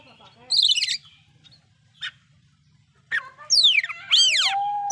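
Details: Oriental magpie-robin delivering loud song with fill-in phrases that rouse other magpie-robins; a rattled burst, an isolated note, then sweeping descending whistles and a drawn-out slurred tone.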